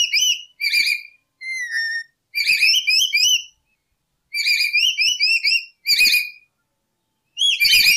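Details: Lory calling as a lure for trapping: short groups of sharp, upslurred whistles in bursts roughly every second, with one lower drawn-out whistle and brief silences between groups.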